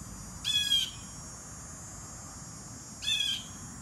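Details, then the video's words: Blue jay giving a pair of raspy, buzzy calls roughly two and a half seconds apart, each a short harsh burst over quiet background hiss; captured at a distance with basic equipment. "Geai bleu"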